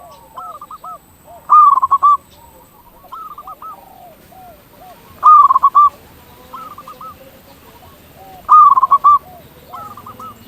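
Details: Local zebra doves in full song to coax others to call: loud, quick bursts of staccato coos repeat roughly every three seconds, with softer trilled phrases from a second bird in between.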